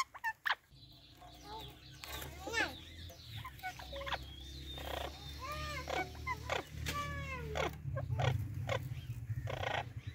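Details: Two Indian ringneck (rose-ringed) parakeets greet each other, trading quick chattering, rising-and-falling squawks and speech-like mimicked phrases, several per second, over a steady low hum.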